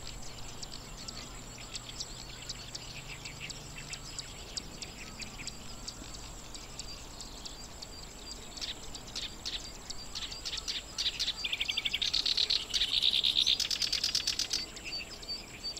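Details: Black-browed reed warbler (Acrocephalus bistrigiceps) singing in grassland at Watarase wetland, Japan, in breeding season, nesting on eggs with chicks soon due. The song is rapid, high, scratchy chirps and ticks, building into a loud buzzy rattling burst near the end.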